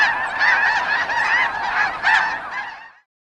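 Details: Many snow geese in Wisconsin honking together, a thick wall of nasal barking calls that fades out abruptly after about three seconds, leaving silence.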